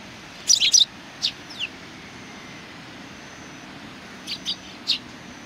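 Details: Greeting chirps from a flock of Eurasian tree sparrows, 27 July 2020: a loud doubled chirp early, two lone notes, a quiet gap, then three chirps near the end, over low steady noise.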